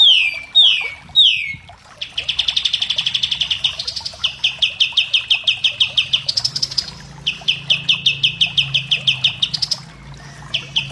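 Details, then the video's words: Common iora song as a tutoring recording: a few downslurred whistles open, then extended fast trills of clipped high notes in runs of two to three seconds, separated by short pauses. "Masteran kapas tembak"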